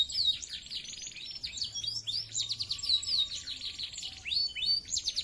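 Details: A canary sings prolifically in a clear voice said to provoke rivals: high, busy rolling trills and sweeping chirps, somewhat faint over steady low background noise.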